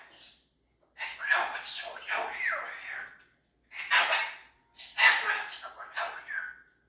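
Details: Female cockatoo indoors gives strange, raspy, wavering vocal bursts, some almost speech-like, in four drawn-out phrases with brief pauses; owner jokingly wonders who she is talking to.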